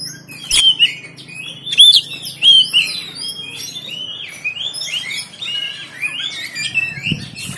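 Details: Oriental magpie-robin kept in a cage in Banten, phone recording, giving a lively warbling run of whistled slurs and chatter with a few harsh accents, low hum beneath.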